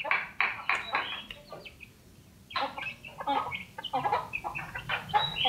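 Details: Small yellow common iora, hand-raised from a chick and kept caged, singing energetically in a chattering 'crewet' style with a loud, shrill voice: dense bursts of harsh, scratchy notes, a brief pause midway, then rapid chatter resuming.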